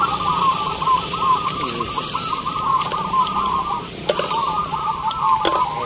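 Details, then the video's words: Zebra doves cooing at a local perkutut song contest in Baratan village, Boyolali, Central Java, Indonesia: a continuous chorus of rolling, bubbling coos from many caged birds, with faint crowd noise and occasional clicks. "Lomba Perkutut lokal"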